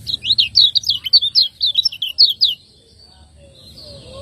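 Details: Lemon-bellied white-eye from Lombok, a cage bird used as a master for training other birds, singing in the ciak ngejos style: a quick run of about ten high, sharply slurred chirps for two and a half seconds, then quiet.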